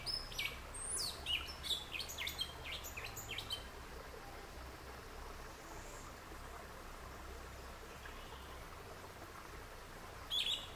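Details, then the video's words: A yellow-legged thrush sings a quick burst of high, varied, sweeping notes for about three seconds, then quiet background hiss and one brief phrase at the end. To the listener it seemed louder than other thrushes. "JÁ OUVIRAM O CANTO DO SABIÁ-UNA ?"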